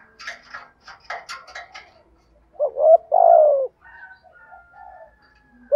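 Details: Spotted dove, 'thổ thúc gù' voice, for enticing wild doves. Bright chattering chirps from another bird open the recording, followed by a single low coo phrase of a short note and a long falling tone, then a thin whistle.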